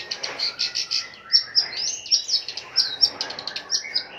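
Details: Long-tailed shrike kept as a fighter bird, singing in full voice: a varied run of sharp high chirps and short whistled notes, some upslurred, delivered in quick bursts about every quarter second.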